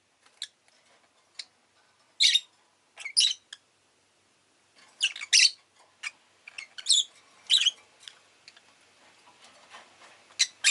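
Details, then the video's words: Rosy-faced lovebird kept as a pet, giving sharp, harsh chirps in short bursts, loud ones around two and three seconds and again near five to eight seconds, with softer clicks and ticks between them. "Lovebird Chirping Sounds"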